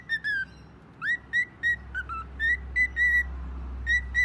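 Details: Phone-like whistling from a pet bird: short level whistled notes in uneven pairs, one upward slur and a couple of lower dipping notes, over a faint steady low hum.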